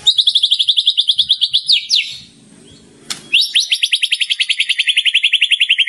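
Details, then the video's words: Champion contest white-rumped shama in a nonstop training recording: rapid trilled notes sweeping downward, a short break with a faint low rumble and a click, then another fast descending trill. "Murai Batu Kesurupan // Murai Gantangan Juara 15 menit non stop // Masteran untuk Pagi Siang Sore"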